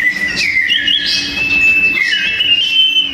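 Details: Sooty-headed bulbuls fighting in song, a loud, dense duel meant for tutoring cage songbirds. A clear whistled note held steady, then bending downward, layered with quick chirping trills above it.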